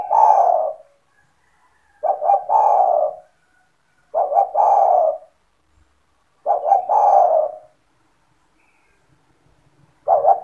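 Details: Spotted dove, a kept bird calling steadily to attract other doves: five regular phrases about every two seconds, each a brief double hiccup then a long mellow throaty coo, otherwise quiet.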